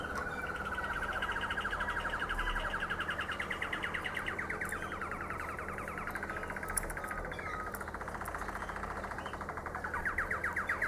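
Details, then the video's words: Domestic canary, Harzer Roller or Malinois Waterslager, from Xanthi, Greece: a long, steady rolling trill that runs almost unbroken for the whole stretch, with faint higher chirps above and a low background hum. "Harzer Roller canary & Malinois Waterslager"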